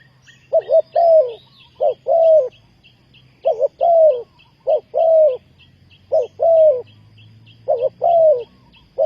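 Spotted Dove cooing in low, hollow phrases: short notes followed by a longer falling coo, repeated in groups across the clip, with faint background hum.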